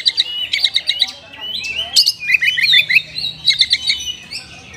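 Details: Oriental magpie-robin song with luxurious inserted phrases, played to stimulate lazy caged birds: clusters of fast, repeated high chips broken by sliding whistles, over a faint hiss.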